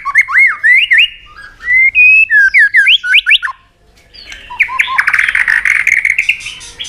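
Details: Fighting song from a white-rumped shama provoked to sing, flicking its tail on the cage floor: loud, clear rising whistles repeated in quick series, then a dense, harsh, chattering burst.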